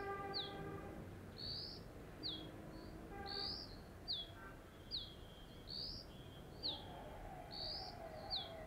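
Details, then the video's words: A female Dark-grey Bush Chat perched on a deodar twig in the western Himalaya, guarding its nest, gives loud, high, thin notes about once a second, alternating a sharp falling whistle with an upslurred chip, over a low rumble. "Dark-grey Bush Chat is a cute little diminutive bird with a loud call"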